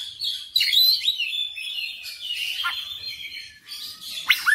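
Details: Oriental magpie-robin in vigorous song with its full repertoire: a sustained whistled run with rapid warbling, interrupted by sharp dropping notes near the end.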